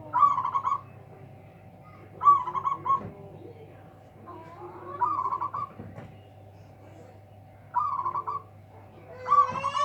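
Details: Local zebra dove with a big, loud voice singing to outdo rivals: short stuttering trilled coo phrases repeated about every two to three seconds, over a steady low electrical hum.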